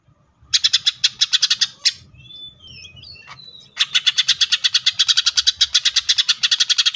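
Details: Green leafbird singing 'tembakan' style: rapid series of harsh, buzzy chattering notes about three per second, broken by a pause of soft thin whistles before the loud rapid chatter resumes and continues steadily.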